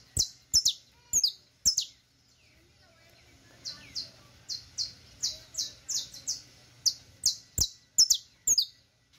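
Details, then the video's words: Saffron finch teaching song: loud, piercing falling chirps in quick runs, a short pause, then a long string of rapid high downslurred notes, some doubled. "El Mejor CANTO De CANARIO CRIOLLO Para Enseñar"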